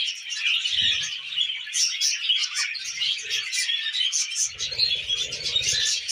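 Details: Budgerigars kept as pets chatter steadily while eating millet, a thick layer of high chirps and warbled trills. Low rustling and knocking grows in the final two seconds.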